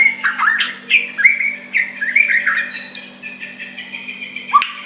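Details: Caged white-rumped shama giving soft song meant to provoke a rival into answering: varied whistled slurs and rising-falling notes around mid-high pitch, short phrases with brief pauses, steady low hum beneath.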